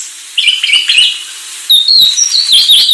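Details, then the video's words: Sulawesi myna giving a warbling twittered phrase, a short pause, then high clear whistles that waver and sweep up and down. "#kicauburung Anis Sulawesi"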